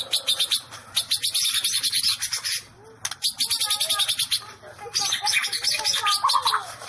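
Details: White-rumped shama giving fast, high, crackling bursts of ticking notes in rapid runs, pausing briefly between bursts, with a few soft lower whistles underneath.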